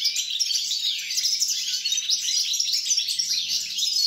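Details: European goldfinch recorded 29 December 2022 singing a fast, jumbled medley of twitters, buzzy trills and bright chirps, continuous from start to finish over a faint hum.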